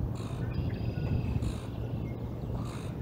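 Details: Bald eagle chicks begging at breakfast as fish is fed to them at the Decorah North nest, 11 April 2021; thin, high chittering calls come in short bursts over a heavy, steady low rumble of wind and hum.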